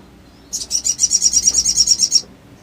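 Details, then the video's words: Sooty-headed bulbul calling as an emotion-provoking lure for birds that will not sing: one fast, high, evenly pulsed trill lasting under two seconds. "SOGON GACOR NEMBAK NGLEPER❗ PANCINGAN EMOSI SOGON MACET BUNYI DAN BAHAN IJOAN CEPAT NGRIWIK"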